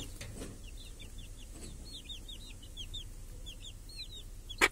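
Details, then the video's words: Chickens with hens and chicks grazing under a protective cage in a village on a clear summer day; many thin, high, descending chick peeps repeated rapidly over steady low background rumble, with a sharp click near the end. "Chickens and hen in the village | Sounds with chicks on a clear summer day"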